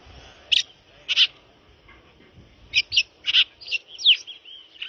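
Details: Red-crested cardinal singing: bright, short clipped notes in scattered bursts, then a quicker run of chirps and a slurred whistled note near the end; a quiet low rumble in the background.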